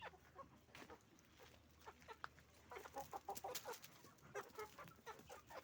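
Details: Hens and roosters making noise on a chicken farm; rapid overlapping clucks and short squawks from many birds, denser and louder after the third second, with a continuous low hum underneath.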